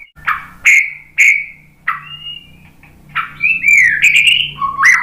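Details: [6, 'White-rumped shama sound used as a lure to provoke singing: separate sharp whistled notes spaced about half a second apart, followed by a tumbling run of slurred whistles.']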